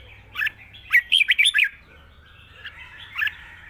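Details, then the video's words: A red-whiskered bulbul gives a quick phrase of five or six liquid warbled notes, with a single note before it and scattered softer notes after, delivered in a long, wild-style song. "เพลงยาว ปากเบา ร้อง+ริก /สำนวนป่าๆ"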